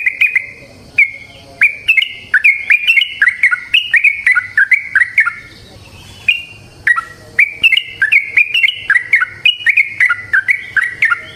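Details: Yellow-vented bulbul (trucukan) singing a long, rapid, lively song used as a lure for other bulbuls: a continuous flow of bubbly whistled notes, leaping up and down, with only brief gaps.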